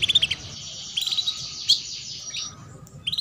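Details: Chirping female canary, a lure for young canaries to begin singing: quick trilled chirps at the start and end, with a thin buzzy high tone between, over faint low noise.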